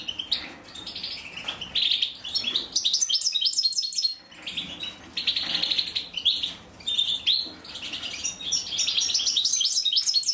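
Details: Female European goldfinch feeding her chicks; excited, high-pitched twittering and buzzy chatter in several surges, with a brief lull near the middle.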